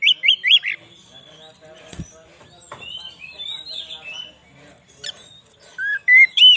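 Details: Oriental magpie-robin song used as a lure for wild birds in the forest and to excite magpie-robins: loud, clear whistled phrases with rising and falling notes and a few harsh chatters, quieter in the middle, ending in bright whistles.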